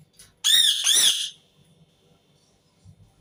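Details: Two back-to-back harsh screams from an Indian ringneck parakeet, loud and raspy with a slightly wavering pitch, lasting under a second together, followed by near silence with faint low thumps in a small room.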